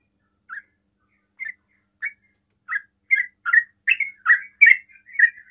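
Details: Fast 'ropel' song of a sooty-headed bulbul, aimed at getting other bulbuls to answer: sparse chirps at first, building into a dense, louder run of slurred notes.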